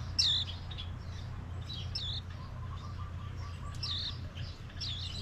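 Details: Japanese white-eye visiting a yard on Maui in mango season, giving thin, high chirping notes every second or two, with faint lower twitters between them and a steady low hum behind.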